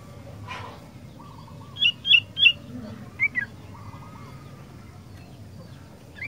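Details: Sooty-headed bulbul singing: a few short bright chirps in two quick bursts, three then two, with faint lower warbling notes between and a steady low background hum.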